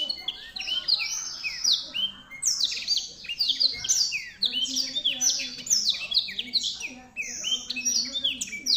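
A black-throated canary sings a fast, continuous stream of high, sweeping chirps and trills, with faint low background noise.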